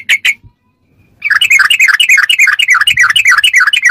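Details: Sooty-headed bulbul ropelan song meant for tutoring caged birds: two loud chirps, a silent gap, then a fast unbroken chatter of wavering, bubbling notes rising and falling.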